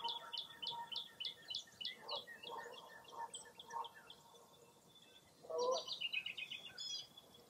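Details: Wild birds calling along a lake on a foggy early April morning at Mirror Lake State Park, Baraboo, Wisconsin: a fast series of repeated high chirps, lower warbled notes, then a louder burst and a trilled phrase.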